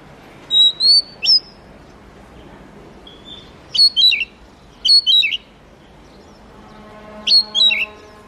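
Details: Oriental magpie-robin (murai kampung, kacer) singing in spaced bursts: clear whistled notes near steady pitch, then quick falling slurred phrases, each burst about half a second, separated by short pauses; faint low hum beneath.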